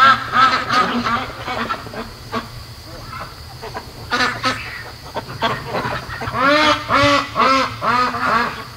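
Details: Night chorus from hand-raised ducks at 3 AM, day 73: scattered quacks early, a quieter lull, then a loud, rhythmic series of arched, harmonic quacks repeated roughly three times a second near the end.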